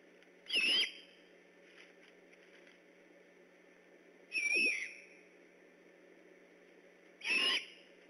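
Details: At night on 3 October 2015, vocal great horned owls near a Decorah eagle nest go on alert; three harsh, breathy screeches, each under half a second, spaced roughly three seconds apart against quiet constant hiss.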